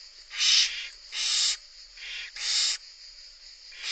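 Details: Barn owl chicks in a nest box in Italy, where a third chick has hatched and the mother feeds the young, give harsh hissing wheezes about half a second long, repeated roughly every second in a steady rhythm.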